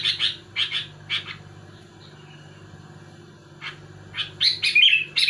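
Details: Sooty-headed bulbul singing to provoke rivals: three separate chirps, a quiet pause of about two seconds, then a rising cluster of sharp notes ending in a quick warbled phrase; steady low hum throughout.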